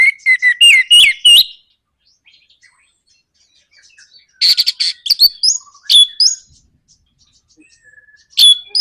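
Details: Orange-headed thrush singing a 'nraktak konslet' lure to provoke other birds: sliding whistled notes rising in steps, then a harsh rattling burst, mixed twittering and clear upslurred whistles, with pauses between outbursts.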